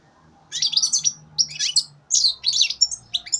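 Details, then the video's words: Young European goldfinch, three months old, hatched in 2015, singing a rapid, bright twittering song of tinkling, chattering notes in quick bursts separated by brief pauses, over a faint low hum. "Φετηναρι 2015 καρδερίνα"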